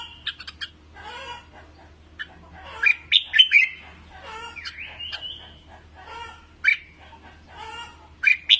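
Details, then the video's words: Red-whiskered bulbul singing for voice training: bright whistled and warbled phrases with quick rising and falling notes and short chirps, mixed with lower harmonic notes and a faint low hum underneath. "Luyện Giọng Chào Mào Mới Nhất | Luyện Chim Hót 2019"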